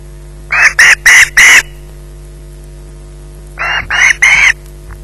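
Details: At a Loch Garten nest with a fish in its possession around 20:33, an osprey gives a fast run of four harsh, rasping screeches, then silence, then a second burst of three, with faint background hum.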